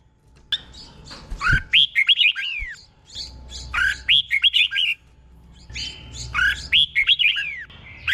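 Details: Red-whiskered bulbul kept in a cage in Thailand, singing a slow, clear doubled song meant for caged birds to copy; three bursts of looping, warbled whistles, each about a second long, separated by short pauses.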